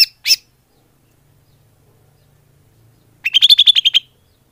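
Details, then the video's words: Lure call of the greater green leafbird: two sharp high notes, a long silence, then a quick trill-like string of bright chirps lasting under a second. "Suara Pikat burung cucak hijau / leaf bird call"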